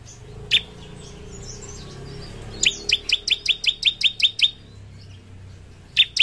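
Bar-winged Prinia: a quick run of about nine sharp, high, clipped notes at roughly five per second, with single notes before and after, over a faint low hum.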